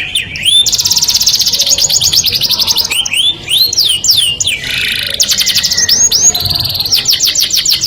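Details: Courting canary song: looping up-and-down whistled sweeps follow a dense high trill, with a brief noisy buzzy burst midway before more trilled and swooping phrases resume.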